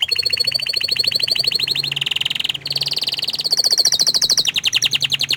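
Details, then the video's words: Canary, described as shy to show its face, pouring out continuous rapid rolling trills. Pitch shifts between sections, with a brief break in the middle. "Suara Kicauan nya Mantul Sekali tapi Sayang Kenari ini Malu Menunjukan Wajahnya"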